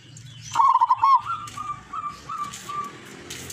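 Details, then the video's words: Wild local zebra dove, lurah grade, lure bird from Tuban, East Java: one loud stuttering trilled coo, then a trailing series of softer, evenly spaced short notes. "Perkutut Lurah gacor doorrrr lokal alam Tuban"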